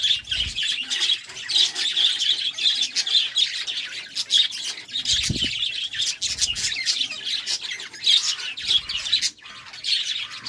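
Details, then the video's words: Steady, dense budgerigar warbling during courtship: a long run of rapid chirps, clicks and scratchy twitters, with a soft low thump midway. "Love time for budgies"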